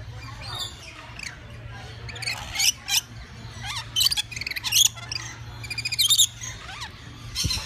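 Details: Lorikeets in a zoo exhibit giving harsh, buzzy, shrill screeches in short bursts, several birds calling irregularly with steady low hum in the background.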